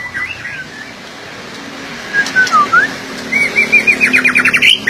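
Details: White-rumped shama with soft, sliding whistles at first, then a rising whistled note, and finally a quick run of repeated, bright trilled notes building toward the end over a light background hiss.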